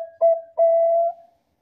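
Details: Bangkok-type zebra dove song, used as a lure to make other Bangkok zebra doves answer. A short low coo is followed by a long, steady, mellow cooing note on one pitch. The background is silent.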